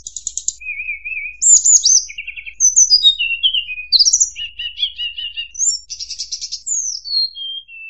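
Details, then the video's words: Sunda robin song, recorded clean as tutor material for training competition white-rumped shamas: high, clear whistles and buzzy trilled phrases jumping between pitches, with downslurred notes and a long descending whistle at the end. "TLEDEKAN / SULINGAN GUNUNG [PANCINGAN SUARA BURUNG TLEDEKAN]"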